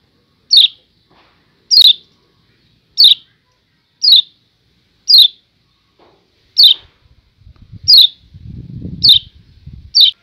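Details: Lombok yellow white-eye giving a 'ciak ciak' call: sharp, high, downslurred chirps repeated about every second. A low rumbling noise joins near the end.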